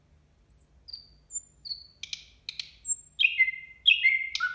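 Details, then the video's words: A nightingale sings at New Year. Isolated thin high whistles and sharp clicks build into loud, ringing downslurred phrases that come about twice a second toward the end, over a faint low background hum. "Соловей поёт на новый год"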